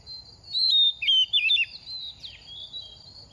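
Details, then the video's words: Oriental magpie-robin in moult, a semi-mature bird past two moults, sings a short run of fluty whistled notes. The notes slide down and then waver, and a soft continuous insect buzz runs behind them. "Kích chim hót mùa thay lông | Choè than bánh tẻ lên 2 vụ mau mồm đang rớt lông p3 Kích Choè Than Hót"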